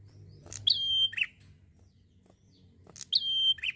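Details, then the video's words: Prinia singing steadily in a relaxed, chatty style: a sharp click opens a long, level, high whistle that drops into a short buzzy note, given twice within four seconds over a faint low hum. "PRENJAK GACOR SANTAI"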